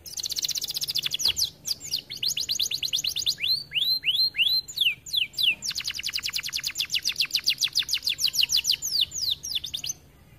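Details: Canary singing in an aviary, recorded as masteran for training other canaries: rapid high trills of descending chirps, a run of loud looping whistled sweeps, then a long steady trill lasting several seconds.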